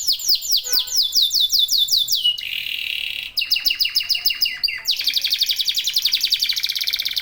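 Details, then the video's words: Domestic local canary, sung as a lure so other canaries start singing: quick descending sweeps, a buzzy rolled phrase, more sweeps, then a dense high trill. "KENARI LOKAL GACOR TOTAL, SEMUA IKUTAN BUNYI"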